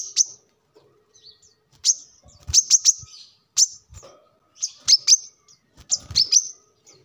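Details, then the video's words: Brown-throated sunbird, a local birdkeeping recording meant as a lure or song model for training birds at home: sharp high chirps and short trills around 6–8k, single notes and quick bursts of two or three, spaced irregularly with brief pauses. "kolibri kelapa | manggar | wiceh | tidak disangka burung receh segacor ini untuk pancingan |masteran"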